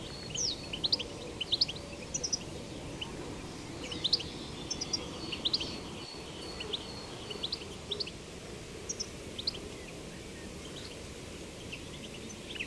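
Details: Goldfinch singing outdoors in nature, betbeta song with scattered bursts of high, sharp twittering chirps across a long stretch, clustered early and thinning later, under constant background noise.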